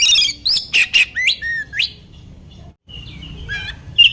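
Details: Oriental magpie-robin (kacer) song used as a lure to provoke other magpie-robins into responding: clear, varied whistled phrases rising and falling, mixed with sharp chirps and buzzy notes in quick bursts, a brief pause midway, faint low hum beneath.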